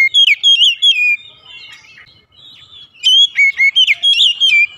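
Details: White-rumped shama (kacer) singing in the morning: a quick run of sliding whistled notes, a quieter stretch, then another lively burst of high whistles and chirps.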